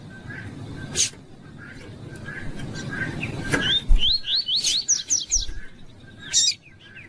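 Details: A Double-collared seedeater (coleiro tui-tui) sings a quick run of clear, upslurred whistles, about six notes in two seconds, over a low rumble with a few sharp clicks; the song is used to warm up and train captive seedeaters.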